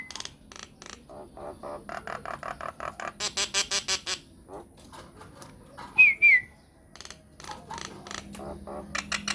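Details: Myna song used as a lure so other mynas will respond, built from repeated short chopped notes in series, a loud wavering whistle in the middle and scattered harsh calls.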